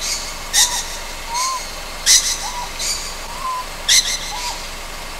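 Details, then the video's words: Night recording from Amami Oshima of a young Ryukyu scops owl giving loud rasping hiss-screeches at irregular intervals, with soft wavering whistles between them and constant low background noise. "リュキュウコノハズク 幼鳥"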